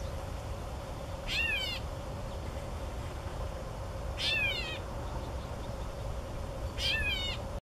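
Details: Male Gray Catbird mewing to attract a mate, giving three cat-like mews, each a slurred, descending nasal note, spaced about every three seconds over a steady low hum.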